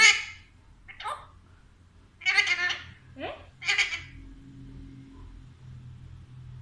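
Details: Pet Alexandrine parakeet talking, speaking its phrase "Mithu Aajao": five raspy, harsh, speech-like bursts spread over about four seconds, with a steady low hum in the background.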